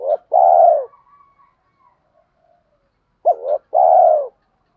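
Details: Spotted doves, male and female, cooing to stimulate birds in training: two phrases about three seconds apart, each a clipped two-note opening and a long, even, low coo, with faint trailing chirps.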